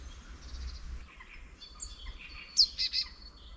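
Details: Wild birds singing in spring at the edge of a quiet countryside village near a small wetland; soft high chirps and thin whistles, then three loud, sharp chirped notes in quick succession near the end, over faint low rumble.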